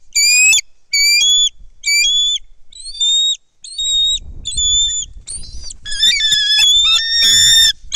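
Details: Nest cam footage, Kistachie National Forest, 10.12.2023: a bald eagle at the nest while a foreign female brings in a fish and another eagle is aloft; a steady series of short high whistles accelerating into a loud, jumbled shrieking chatter.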